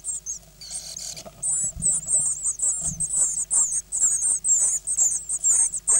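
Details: Hungry Great Tit nestlings, nine chicks hatched mid-May 2010, calling while being fed on 24 May: a burst of harsher rasping noise, then sustained thin high squeaks in rapid overlapping bursts with soft low thumps.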